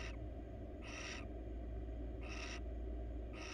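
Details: In a monitored nest box, a wild female barn owl seeking attention utters short harsh hissing screeches, three to four within a few seconds, over steady background hum.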